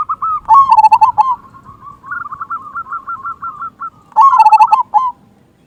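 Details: Zebra dove of a local strain, an active singer with a big 'kung' voice, played to stir quiet doves into singing: loud rolling coos open and close the clip around a quicker series of rising, stuttering notes.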